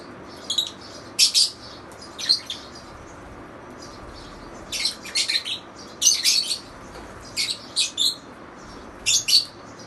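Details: Lovebirds giving rapid, shrill, scratchy chirps, mostly in clusters of two or three notes, repeated irregularly through the stretch.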